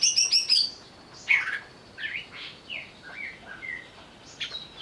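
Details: Lure recording of an agitated greater green leafbird: a fast buzzy rattle, a loud sharp note, then softer sliding whistles rising and falling at a relaxed pace.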